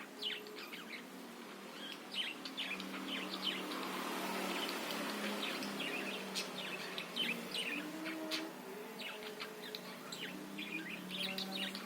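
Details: Budgerigars chattering, a recording meant to provoke other birds into singing: dense, rapid chirps and short rising-falling notes, about two or three per second, over a steady low hum.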